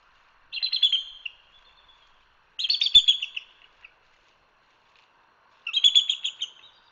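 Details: Bald eagle chatter from a live camera at Hanover, Pennsylvania: three separate bursts of high, squeaky, stuttering notes, each about a second long, with quiet gaps of roughly two seconds between them.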